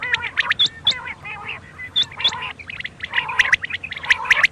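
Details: Quail calls intended for night: quick high chirps and squawking notes from several birds, uneven bursts that crowd together toward the end, over a steady faint hum.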